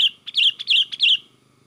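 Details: Sooty-headed bulbul singing in an excited, energetic 'gacor' style used to lure other bulbuls: three quick, bubbly whistled phrases, each a bright note dropping into a warble, then the song fades to near silence.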